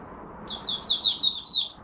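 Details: Malaysian oriental white-eye (mata puteh) in its first warm-up of the day, 1 August 2023. One short run of five high, sweet, downslurred notes in quick succession, over low background hum.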